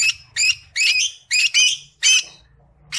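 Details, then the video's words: Singing Creamino Rosy-faced Lovebird gives grating, squeaky notes in uneven bursts, some with thin whistled tones laid over the rasp. "Creamino Agapornis Roseicollis Singing"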